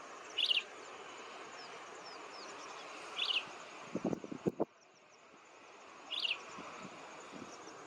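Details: Grey-headed kingfisher (Halcyon leucocephala) giving three brief, sharp calls about three seconds apart, over a steady high insect hiss and a few low knocks.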